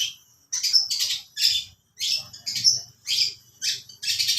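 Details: A long-tailed shrike gives lovebird-like song as harsh, buzzy squawk bursts, about two per second, each rough and broadband, with short silences between.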